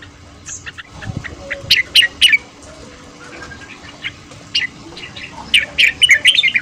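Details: Red-whiskered bulbul singing in the morning in the fast chattering 'ché' style, used for voice training and to spur newly caught birds; bursts of bright, quick warbled notes around 0.5 and 2 seconds and again near the end, with quiet background between.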